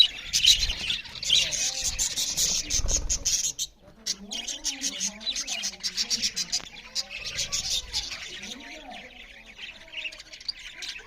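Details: Eating budgerigars give dense high chirping for the first few seconds. After a brief pause the twittering continues more softly under lower, wavering cooing or voice-like tones.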